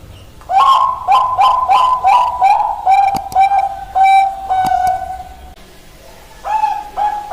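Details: Hill myna (moyna pakhi) giving a series of clear, mid-pitched whistled notes, about a dozen short hoots in quick succession. After a brief pause, two more similar whistles follow over a faint background hum.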